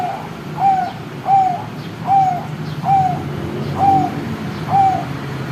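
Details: Series of six soft, clear coos from a very young zebra dove, each note brief and gently falling, delivered at a steady pace of about one every 0.8 seconds against a quiet indoor hum.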